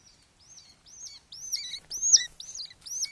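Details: Red-shouldered hawks at a nest in Wake Forest on 29 May 2023 at 08:38, the father bringing a frog to a fledgling; thin, high arched notes repeated about twice a second, growing louder toward the end.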